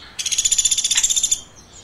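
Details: Chirping woodpecker: one brisk burst of roughly thirteen high, piercing notes in just over a second, each pulse sharp and quickly repeated, followed by quiet.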